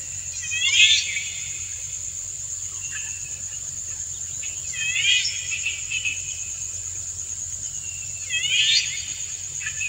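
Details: Male Indian golden oriole singing a courtship song to stimulate a female, who dances to it; three short fluty, harmonic phrases with quick rising and falling notes, spaced about four seconds apart, over a steady high-pitched whine.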